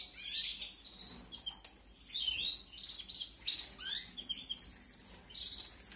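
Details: Canary chicks being fed in an aviary breeding setup, 2021: high thin chirps and squeaky begging notes in short bursts, repeated several times, over faint background hiss.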